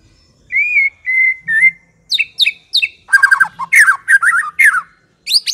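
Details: White-rumped shama song used to attract birds: three steady clear whistles, then sharp falling notes and a fast, loud jumble of chattering and warbled phrases.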